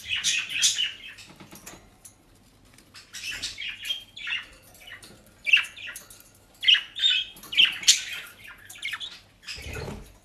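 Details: Indoor pet budgerigars in the Netherlands, enjoying dry leaves and grass, give harsh squawks and sharp, rising chirps. The calls come in irregular groups, with rustling between them.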